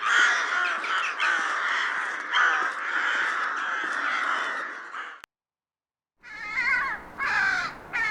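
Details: Rooks, Corvus frugilegus, recorded in the wild: a thick wash of overlapping caws from many birds, a second of silence, then three distinct hoarse caws.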